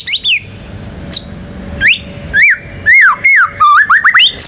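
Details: White-rumped shama, a national contest winner, singing varied rolling and sharp phrases meant to set other birds singing: spaced, clear swooping whistles, then quicker rising and falling notes toward the end.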